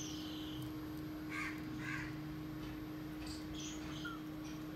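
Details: A cockatoo at play gives a couple of harsh, raspy squawks, then a few thin, squeaky chirps.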